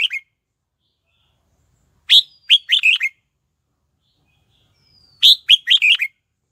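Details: Singing red-whiskered bulbul used to lure wild birds to fight; clear phrases of four or five lively whistled notes, the first note loudest, repeated about every three seconds amid silence.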